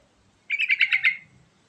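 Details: Single yellow-vented bulbul phrase used to coax other birds into song: roughly six rapid, bubbly notes in a half-second burst, trailing off, with a soft low rumble in the background.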